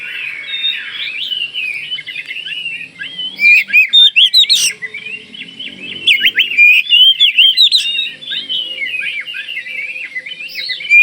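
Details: Oriental magpie-robin of the Kalimantan (Borneo) type, singing vigorously to prompt other magpie-robins to answer: a continuous run of varied warbled whistles with bursts of loud, rapid, sharply rising notes around four seconds and again near nine seconds.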